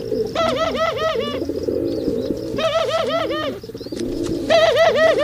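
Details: Male pigeons calling during mating, with bursts of rapid, bouncing, gurgling coos in quick series, repeated three times over a background of softer low coos from other birds.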